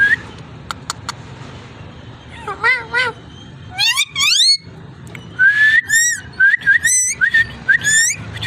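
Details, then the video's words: Ringneck parrot voice: sharp clicks, wavering squawks, then a run of rising whistled notes repeated roughly every half second, with harsh squawks between them. "Amazing ringneck parrot talking and voice"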